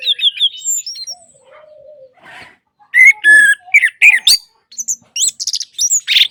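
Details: Orange-headed thrush song used to coax a silent bird into singing: a few whistled phrases, a faint low drawn-out note, then loud bursts of harsh, squeaky and whistled notes in quick succession.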